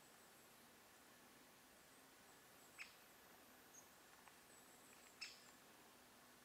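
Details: A great spotted woodpecker in a forest on 21 October 2024 gives two sharp, high 'kik' notes about two and a half seconds apart against a quiet forest hiss.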